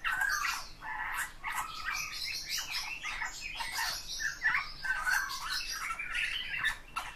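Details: Song of a Eurasian bullfinch: quiet, grating creaks and rasping squawks interleaved with short soft whistles, delivered as a continuous rambling warble.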